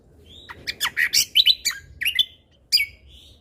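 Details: Busy, chattering song of a lesser green leafbird (cucak kombo), recorded as a tutor track with 'tembakan' fill: a dense tumble of mixed harsh and whistled notes, a pause, then one sharp falling note and a thin whistle.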